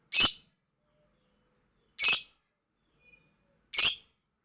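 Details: Lovebird giving very loud chatter: three shrill, harsh squawks spaced about two seconds apart in a quiet indoor space.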